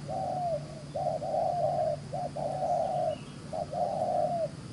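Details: Wild-caught field spotted dove cooing quickly and briskly in a rapid style: a run of low, hollow coos, some long and gently falling, others clipped short, about six notes in under five seconds over a steady low hum.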